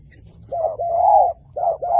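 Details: Close wild dove near a trap: a short coo, then a long, smooth, arching coo, followed by another short-long pair.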